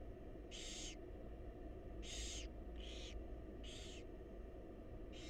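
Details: Hoarse hissing screeches from wild barn owl babies begging as the mother feeds them in a nest box; five noisy bursts in about five seconds over a faint low hum.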